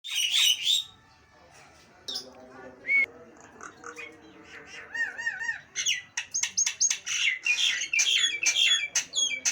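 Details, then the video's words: Nias hill myna giving loud, harsh squawks, then a run of rising wavy whistles and a rapid series of sharp, chattering notes roughly twice a second "Suara burung jalak nias bikin kuping panas"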